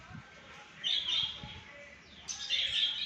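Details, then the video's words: Alexandrine parakeet calling at 6 am: two harsh, rasping squawks about a second and a half apart, with faint background noise. "Alaxender Parrot Time 6am"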